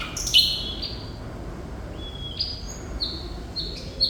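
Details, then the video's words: Thrush nightingale song ('gacor') opening with a loud grating note, then a run of separate pure whistles at steady high pitches, each about half a second long, with short pauses. Faint low hum. "Sikatan Londo Thrush Nightingale Gacor"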